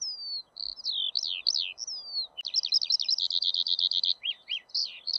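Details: Eurasian skylark singing high, varied phrases: drawn whistles and slurs, then a rapid rattling run of repeated notes and a few sharp falling chirps, with a brief click and noticeable low hiss underneath.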